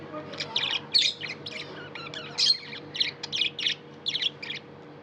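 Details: Pet budgie giving harsh squawky chirps and short scratchy notes in separate bursts about every half second, with a steady electrical hum in the background.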